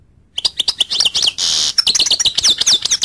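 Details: Continuous goldfinch twittering: fast, high, liquid chirps run almost without break, interrupted in the middle by a drawn-out harsh buzzy note before the bright chatter resumes.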